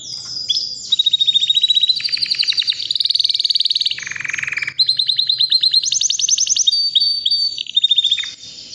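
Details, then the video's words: Three-year-old white canary singing non-stop: a run of rolling trills changing pitch from tour to tour, including a lower buzzy section mid-way, then bright high rapid phrases and steady whistles. "BEAUTIFUL WHITE CANARY NON STOP POWERFUL SINGING"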